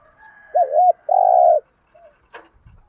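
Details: Spotted dove giving 'thúc gù' calls: a wavering double-humped coo, then a longer level coo, both mid-pitched and rich, followed by a faint short note and a brief click.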